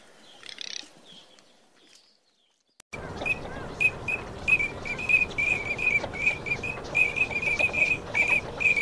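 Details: Teal calling: a rapid series of short, clear, high whistled chirps repeated about two or three times per second, after a brief quieter passage and a sharp click.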